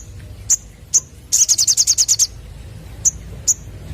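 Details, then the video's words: Sunbird lure sound played to draw young birds into answering: sharp high chips spaced about half a second apart, then a quick run of about nine rapid bright notes, then two more lone chips over low background hum. "Burung Sogon Muda Bakalan Langsung Nyaut Denger Suara Pancingan ini"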